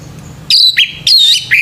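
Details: Male orange-headed thrush in the morning, giving three quick, clear whistled notes, each bright and slightly slurred, in a short run after brief quiet.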